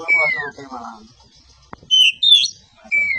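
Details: White-rumped shama, a caged contest kacer, producing clear downslurred whistles and a couple of high pure notes separated by short silences, with a single sharp click.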